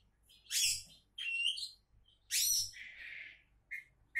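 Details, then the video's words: Oriental magpie-robin, billed as a future champion, delivering harsh raspy bursts and a buzzy warbled phrase, with short chirps at the end, roughly every second. "Kacer Calon Juara"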